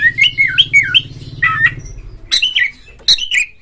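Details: Kacer, or oriental magpie-robin, in ngobra, ngeplong song played to set other magpie-robins singing: a series of looping, dipping whistles, a short pause, then sharp chips and rising whistles, over a low droning hum.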